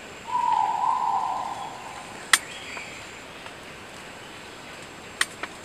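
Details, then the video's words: Crested argus calling to its flock: one long, loud whistled note of about a second, held steady and slightly rising, followed by two sharp clicks. "tiếng chim trĩ sao gọi đàng"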